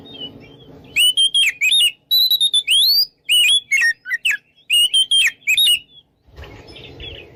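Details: Magpie-robin song meant to goad rivals to fight: a fast run of varied loud whistles, rising slurs and chips, repeated in quick phrases, ending with a low noisy rumble.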